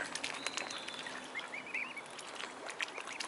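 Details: Mute swan cygnets giving thin, high whistled peeps, each note arching up then down, in a quick run of four or five near the middle and a few more at the end, over steady rustling background noise.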